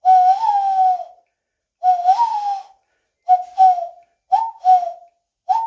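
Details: Common cuckoo with two long slurred notes, then quicker paired cu-coo calls, each pair falling slightly in pitch, on an otherwise silent background.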